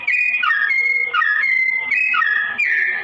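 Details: Sooty-headed bulbul song in a slow tone for training straw-headed bulbuls: flowing, flute-like whistles with repeated downward swoops and long level notes, chained into a continuous phrase.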